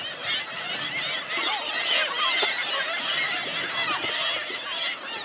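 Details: Hungry seagulls calling en masse at Helløya, 2017: frequent short curved squeals, roughly two each second, rising and falling, amid a constant noisy din of further gull voices.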